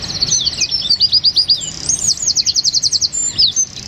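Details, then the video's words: A small wren sings for a songbird-training recording in tight 'tembakan' bursts. A rattling high trill leads into a squeaky flourish, then a long, evenly paced series of about fifteen bright repeated notes. "Masteran Burung Suara Tembakan Wren Bird Suara Bren Tembakan Rapat Burung Kecil"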